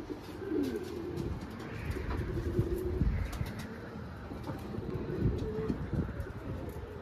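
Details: Pigeons cooing on a city rooftop terrace with flowers in İzmit, Kocaeli, Turkey; low, soft rolling coos with some rising and falling swoops, over a steady low background hum and faint clicks.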